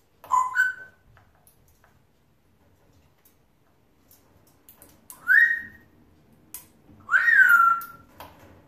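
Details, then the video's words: Male African grey parrot kept as a pet, chattering to himself: three widely spaced whistles, each rising then falling, the last longer and richer, with near silence between. "Wee rubin having a chatter to himself"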